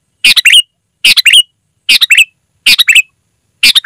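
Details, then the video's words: Loud, clear sooty-headed bulbul song, used for calling wild birds: quick chattering phrases of three to four notes ending in a rising slurred whistle, repeated about every 0.7 seconds, no other sounds. "Suara Burung Kutilang Gacor, Asli tanpa isian, Lantang dan Jernih Ampuh untuk Suara Panggilan"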